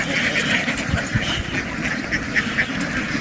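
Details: Ducks running happily into water and quickly jumping back ashore in a field, making a loud noise; a dense chorus of rough quacks repeats rapidly over steady background rumble.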